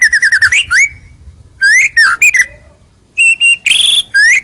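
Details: White-rumped shama song, clear and strong, used as a lure so rivals approach: rapid repeated whistles rising into a long slur, then separate rich whistled phrases and a buzzy note.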